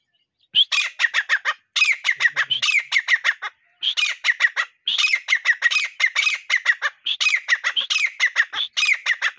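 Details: Partridge call used as a hunting lure: loud harsh chattering phrases of rapid repeated notes, each burst lasting about a second, delivered in steady series with short pauses between.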